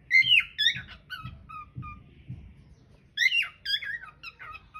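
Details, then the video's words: Cockatiel singing, filmed on a hidden camera: a bright warbled phrase, several short falling whistles spaced about half a second apart, a pause, then another loud warbling phrase, with faint low bumps beneath. "Singing cocktail"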